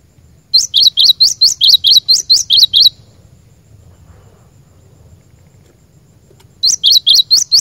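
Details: Cinereous tit song for training caged birds: a quick run of about ten sharp, high, alternating chirped notes, then a long quiet gap before another burst starts.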